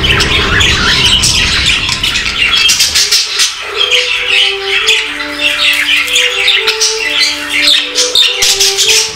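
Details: Playing, contented budgerigars chatter nonstop in busy, scratchy high warbles and squeaks, with soft sustained music underneath from about three seconds in.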